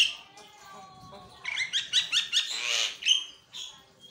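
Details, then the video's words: Javan myna singing actively, played as a lure to get lazy mynas singing: a loud, varied song of rapid chattering notes, harsh raspy bursts and high whistles over a faint background hum. "jalak kebo gacor buat pancing bunyi jalak pemalas"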